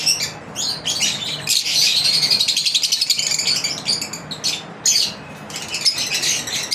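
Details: Pet lovebirds in their daily routine give sharp shrill chirps and fast chattering runs, several birds calling over one another almost without pause, a faint low hum in the background.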